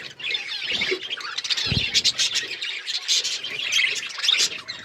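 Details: Several colourful budgerigars chirping steadily: busy warbling chatter of squeaks, buzzes and short whistles, with a couple of low thumps.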